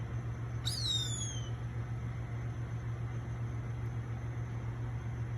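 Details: Gray hawk eating its catch, interrupted by a squirrel: one clear whistled note that starts high and glides down over about a second, then fades, leaving a constant low droning hum.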